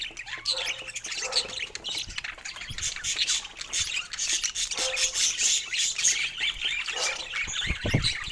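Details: Morning chatter from pet budgies playing with their toys: dense, scratchy, high chirps and squeaks that run on without a break, with a few low knocks and handling noises beneath.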